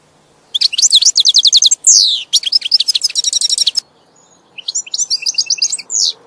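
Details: European goldfinch singing rapid rhythmic trills of sharp high notes, a short buzzy slur, then more tinkling twitters after a brief pause; faint low background hum.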